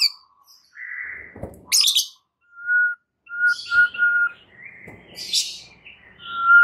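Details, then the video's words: Used to trigger a stressed white-rumped shama into song, scattered pure whistles sound here, several short level notes, mixed with brief harsh high rasps and soft pauses. "PANCINGAN Murai Batu satu ini mampu Atasi Murai STRESS seketika jadi GACOR NGAMUK"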